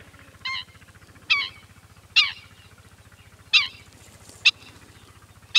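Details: Black-winged stilt giving loud, strident nasal 'kek' calls, six in under six seconds, some slightly drawn out, with a constant low mechanical throb beneath.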